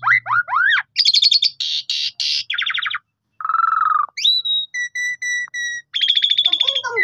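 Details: Lively song of an Asian pied starling, meant to coax other starlings into full song: looping whistles, rasping bursts, a long buzzy note, then pure steady whistled tones and a fast trill, with brief pauses; phone recording.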